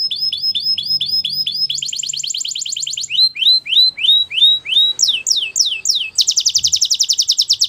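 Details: Timbrado canary in full song: series of falling whistled notes, a faster run, rising slurred whistles, steep downward sweeps, and a closing rapid buzzy trill.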